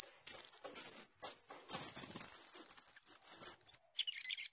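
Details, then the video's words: Starling, called cucak keling or jalak keling, in nonstop gacor teler song: sustained shrill whistles, then shorter rapid whistled pulses, closing with a scratchy chatter. "cucak keling gacor teler atau jalak keling gacor teler"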